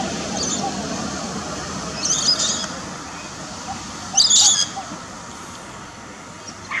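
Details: A wild red-winged parrot giving two brief, harsh, high-pitched screechy calls about two seconds apart, over a steady low background hiss.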